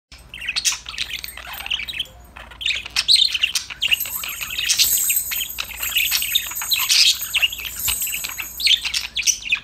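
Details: Several happy budgerigars playing and singing together, chirping to each other in dense overlapping chatter of high, scratchy twitters and short squeaky notes. The chatter grows fuller and busier after the first few seconds, with a faint low hum underneath.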